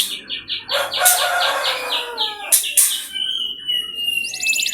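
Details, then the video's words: Canary lure song: a series of rather harsh, repeated mid-high notes, a few loud broadband bursts, a short level whistle, then a tight buzzy trill at the end. "Pancingan Bunyi Burung Kenari Supaya Cepat Gacor"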